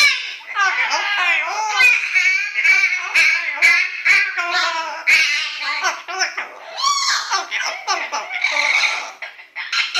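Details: Indoor pet yellow-naped amazon practising the pop tune "Little Apple", with dogs protesting; continuous rapid, bending, voice-like warbles and squawks, dense and loud throughout.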